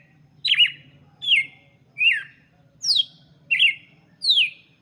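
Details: Red-cowled cardinal song meant for teaching chicks: six clear, sharply descending chirped notes spaced under a second apart, each slightly different, over a faint low hum.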